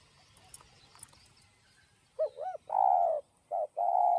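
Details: Spotted dove cooing in the "giọng đồng" style with a "thúc gù" delivery, used to stimulate and lure other doves. Quiet at first, then low, hollow coos begin after two seconds: a short doubled note, then long sustained coos separated by brief gaps.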